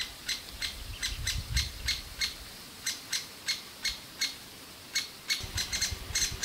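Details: Young great spotted woodpeckers begging for food at their nest in a large old aspen; high chirps in uneven quick runs, with low rumbling wind or handling noise in the background.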